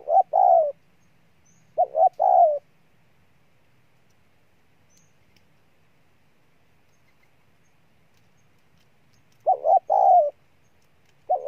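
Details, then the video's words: Loud, deep coo phrases from a wild-caught spotted dove: two clipped notes leading into a longer, sliding coo. The phrases repeat after long silent pauses, with little other sound. "Con Bổi Gù Trâu Bò nhất năm"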